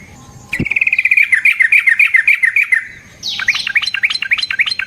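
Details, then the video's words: Energetic yellow-vented bulbul song, a training lure to make other bulbuls respond and sing. After a sharp click comes a long rolling, bubbly trill of rapid linked notes, then a run of bright rising whistled notes. "Burung TRUCUKAN GACOR Ropel Panjang Cocok untuk PANCINGAN Trucuk bahan dan MASTERAN Burung Trucukan"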